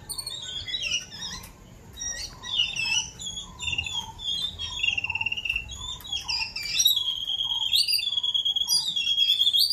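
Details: Two rescued babbler chicks held in a small cage outside a house under a mango tree, fed by many adult birds: a busy stream of high, harsh chirps and rising squeaky notes, growing louder and denser toward the end.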